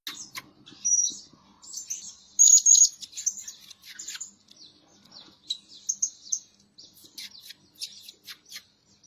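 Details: Blue-crowned hanging parrot, a lure bird that calls day and night, giving rapid, shrill, high-pitched chirps and squeaky notes in quick irregular bursts, with short pauses between groups.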